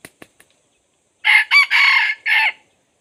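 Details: Decoy red junglefowl luring wild birds: a few soft clicks, then a clipped four-part crow, short rough notes and a longer drawn middle phrase, over a near-silent background.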